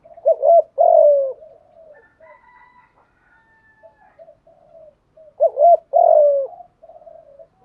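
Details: Spotted dove coo for exciting newly caught doves into calling. Two low hooted phrases, each a double note and a descending drawn-out coo, separated by about five seconds of soft murmurs and faint steady tones.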